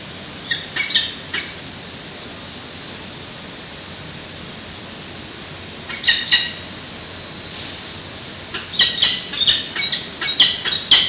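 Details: Nestling peregrine falcons begging while being fed at a San Francisco nest, 8:35 am, 13 June 2017, recorded by a live webcam: short shrill squeaky cries in three separated bouts, the last a fast, repeated run.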